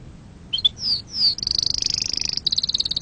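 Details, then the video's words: Canary singing a pure, error-free song meant for teaching young canaries: a few short upslurred and downslurred chirps, then a rapid high buzzy trill of repeated notes. "أحسن تغريد أصلي صافي و خالي من الأخطاء لتسميع فراخ الكناري ecolage du oiseaux cannaris la voix"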